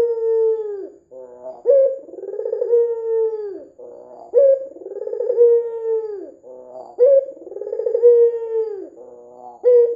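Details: Red-eyed white dove calling vigorously, recorded for use as a lure to draw other doves into calling: low, rolling cooing phrases, each with a long drawn-out note that sags at the end, repeated roughly every two and a half seconds.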